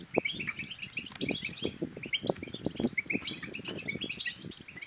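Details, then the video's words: European goldfinch song used to stir other goldfinches to sing and mate: fast, continuous liquid twittering with bright high chips and buzzy notes, over dull low knocking sounds. "بتبتات الحسون بتبتة تنطق اي حسون كان صامت سيغرد بتأكيد"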